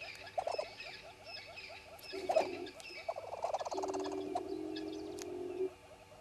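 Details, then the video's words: Red-billed hornbills at Djuma, recorded at 05:34 on 10/02/19; a loud run of rapid, low clucking notes that quickens and holds for about two seconds, over a steady ticking chorus and other distant birds. "Red-billed Hornbills"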